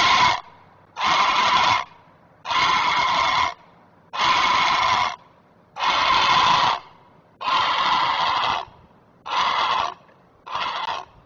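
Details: A great blue heron parent on a Chesapeake nest sounds the alarm while protecting its young: eight coarse, hoarse squawks delivered at a regular pace, each just under a second long.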